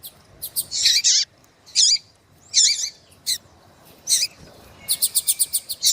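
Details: Female Double-collared Seedeater calling eagerly to heat up a male: spaced, slurred high chirps, then a fast string of about seven sharp ticking notes at the close.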